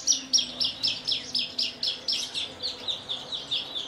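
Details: Javan bush lark of Kulon Progo, Indonesia, a kept bird singing Jambul style with quivering wings; a steady series of about fourteen sharp, high downslurred chips, roughly four per second, gradually softening.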